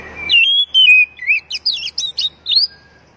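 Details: Oriental magpie-robin song played as a lure so captive birds start singing: a long clear whistle sliding down, then a rapid series of short, twisting whistled notes repeated about twice a second, clean and loud.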